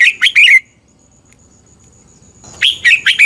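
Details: Caged red-whiskered bulbul from Thailand, recording used for bird training: a quick burst of three lively whistled notes, a pause with a thin steady tone, then another rapid warbled phrase.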